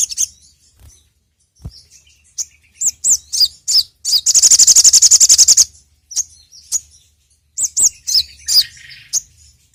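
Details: Sogon song used as a lure: scattered high chirps, then a dense rapid trill lasting over a second, followed by more sharp arched notes and a soft buzzy phrase.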